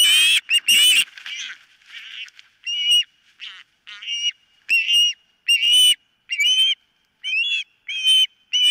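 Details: Osprey at a nest, filmed by a nest camera on 4 September 2023 around a near loss of a toe: uneven, excited mix of harsh high yelps and wavering whistled notes, some overlapping, at irregular intervals.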